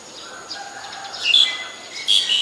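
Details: Black-collared starling in Ubon Ratchathani, Thailand, 25 December 2019, giving sharp, high, slightly grating squeaks in two quick bursts, over faint chirping and a thin steady background tone.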